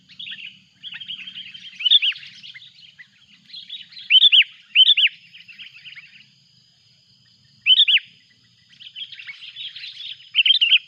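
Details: Sooty-headed bulbul calling noisily as a rival arrives, a loud-voiced lure bird taken to the mountains. Bursts of bright, bubbly chirps and sharp upswept notes come in uneven phrases about every two seconds, with short quiet gaps and a faint steady tone behind.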